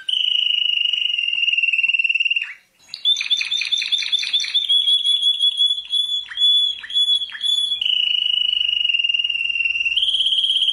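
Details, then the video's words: World champion canary song: a steady fast trill, a short gap, then buzzy high rapid notes and a shimmering sustained roll, returning to a level trill. "Canto de canario 🐤🥇🏆campeón del Mundo🥇🏆"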